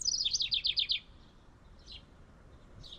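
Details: A House Wren in a tree near its birdhouse gives a fast, bubbly burst of high, chattering notes for about a second, followed by two faint, brief notes.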